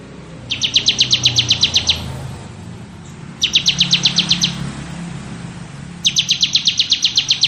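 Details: Ngebren song of a crystal-type bar-winged prinia: three bursts of fast, evenly spaced high chips lasting about one and a half seconds each, over steady low background noise.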